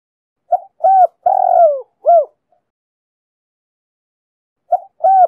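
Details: Cooing of a female spotted dove meant to stimulate males: a four-note phrase, two short coos, a long descending one and a rounded closing coo, then a pause before the next phrase begins.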